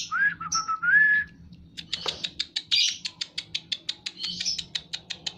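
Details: White-rumped shama in breeding condition opens with mellow looping whistles, then gives a long series of sharp clicking notes repeated several times a second, with a low hum behind.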